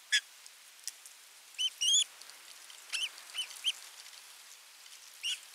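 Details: Osprey during a fish delivery to nest 3 of a Finnish nest camera, 27 June 2022: piercing, rising whistled yelps, often paired, and a few clicky notes, with gaps of about a second between them.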